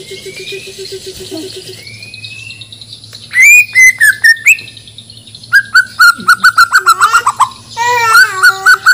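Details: Shama from Banjar, Borneo, heading for a contest, sings thin rising whistles over a faint hum, then loud clipped bursts of slurred notes and a long rapid series of repeated notes.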